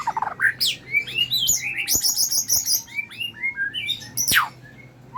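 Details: Medan white-rumped shama singing while bowing, a lure for training birds. Quick rising whistles and high ringing notes tumble in an energetic, varied stream with occasional sharp clicks and a low hum beneath.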